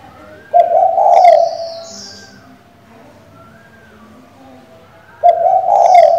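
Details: Female spotted dove calling to the male and used to provoke a decoy bird: two loud, low, mellow cooing phrases several seconds apart, each a steady hollow tone, with a faint thin high note over it and quiet between.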